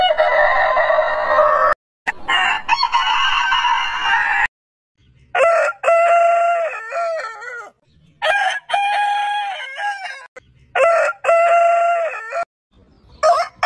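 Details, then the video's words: Heritage-breed roosters crowing: a long rough, noisy crow, then a series of clear harmonic crows, each with short opening syllables and a held, level final note, repeated about four times with pauses. "Chicken Crowing"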